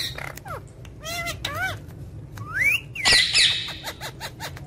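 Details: Pet ring-necked parakeet vocalising: harsh squawks mixed with sliding whistles and a rising then falling whistled phrase, followed by a loud screech and quick chirps, over low background hum.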